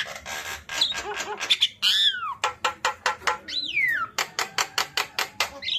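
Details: A tame Javan myna chatters in rapid, harsh, rasping bursts, broken by two loud whistles that swoop down in pitch.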